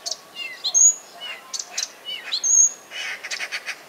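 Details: Common nightingale (Luscinia megarhynchos) singing a varied run of loud phrases: sharp whistles, quick rattling trills and chirpy notes, changing every second or so.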